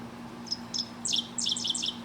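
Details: A male Dickcissel, common along gravel roads and heard from wires above, sings two thin, high chips, then a run of dry, buzzy stuttered notes, 'dick, dick, ciss-ciss-ciss'; a low, steady hum runs underneath.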